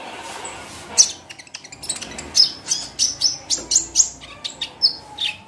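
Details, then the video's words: Sunda pygmy woodpecker call used as a lure to prompt a bird to sing: sharp, thin, very high notes repeated about three times a second, over a faint background hiss. "PANCINGAN KOLIBRI NINJA / KONIN AGAR BUNYI & GACOR"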